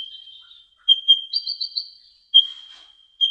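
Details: Olive-backed sunbird (kolibri ninja) song used as tutoring material: a long steady high whistle with sharp accented chips riding on it and a quick rising trill of bright notes in the middle.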